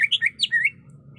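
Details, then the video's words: Breeding female greater green leafbird calling to a male: a short string of five or six clear, slurred whistles that vary in pitch, some rising and some falling. "Pancingan Spesial Cucak Ijo Malas Dan Susah Bunyi Di Jamin Dan Terbukti Jitu Bikin Nyaut"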